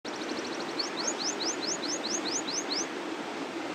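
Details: A canary sings a long rolling song: a quick high double-noted trill, then a run of about ten bright upslurred whistles, roughly five per second, over a steady background hiss.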